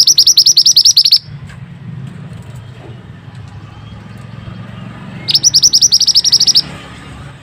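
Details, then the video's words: Pied bushchat in a masteran training recording, giving a run of rapid, piercing high chirps, a long pause, then another fast chirping burst, with low rumbling noise between. "suara burung mantenan super unik"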